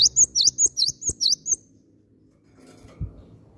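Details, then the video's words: Cinereous tit calling as a singing lure: a fast string of about seven bright, V-shaped chirps lasting a second and a half, then fading into low room noise with a dull thud. "PANCINGAN BUNYI BURUNG GELATIK BATU"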